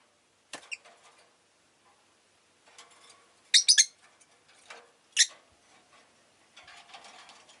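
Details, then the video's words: Pet rosy-faced lovebirds, a group that was rather vocal that day, let out a few shrill, rasping chirps. A doubled burst and a single sharp note stand out over soft rustling and a low background hum. "Lovebird Chirping Sounds"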